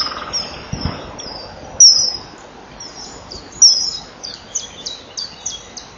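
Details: A male common kingfisher calls as it flies past its nest bank at 18:06 on 21 April 2012, after the female enters the tunnel, giving thin, high, piercing whistled calls in short repeated bursts.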